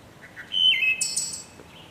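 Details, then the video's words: A wood thrush sings one phrase: soft low introductory notes, two clear fluted tones, then a high, shimmering trill at the end. "Wood Thrush Bird Beautiful Sing"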